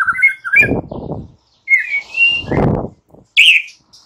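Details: White-rumped shama morning song to rouse silent birds: a few whistled slurs and a long sustained whistle, with low thumping noises underneath.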